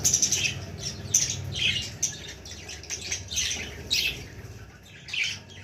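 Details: Young budgerigar repeating short, scratchy squawks roughly once a second, some with a sharp whistled edge, over a low background hum.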